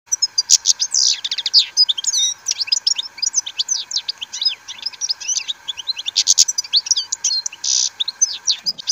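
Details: Captive-bred European goldfinch singing in the rain: a fast, continuous twittering of high chirps, trills and buzzy notes without pause, over a steady low hum.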